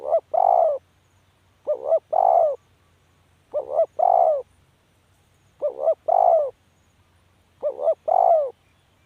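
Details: Spotted dove giving its call: five steady phrases roughly every two seconds, each a short doubled coo then a longer mellow coo, clean and with almost no background.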